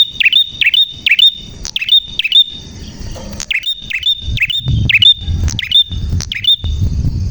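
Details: Energetic prenjak song made of crisp, ringing chirps, each hooking sharply upward, delivered in rapid repeated bursts with brief gaps, while a low rumbling background noise swells toward the end.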